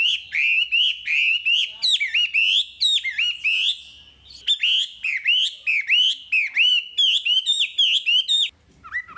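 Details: Continuous wambi song for masteran, a rich chain of rapid warbled, dipping whistles and sharp chips, loud and nearly unbroken for over eight seconds before a brief pause.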